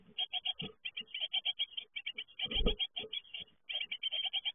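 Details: Great tit nestlings fledging: quick series of sharp, high chirps, several per second, broken by brief pauses. A muffled knock interrupts midway.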